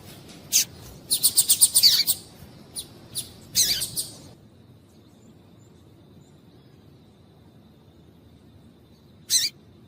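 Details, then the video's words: Female double-collared seedeater calling to stir males into singing: a quick run of thin, high, sharp chirps in the first seconds, then near silence, with one more bright chip near the end. "Piado de Fêmea de Coleiro para Esquentar Coleiro"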